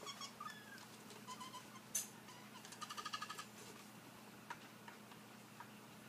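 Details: Male collared aracari (Pteroglossus torquatus) luring its mate into a log: quiet, squeaky notes with a quick run of high chirps near the middle, over a steady low hum.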